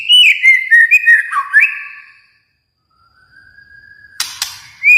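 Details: White-rumped shama from Kalimantan: a rich whistled phrase with quick up-and-down slurs, a pause with a soft low whistle, a harsh chattering burst, then a rising whistle.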